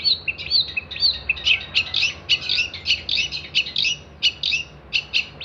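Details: Long-tailed shrike song meant for training songbirds: a few clear slurred whistles, then loud harsh chattering bursts repeated at short, uneven intervals.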